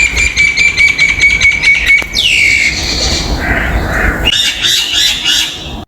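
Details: A common myna visiting a balcony gives harsh, chattering calls with rapid repeated clicks, then a swooping whistle and gurgling notes, over steady background noise.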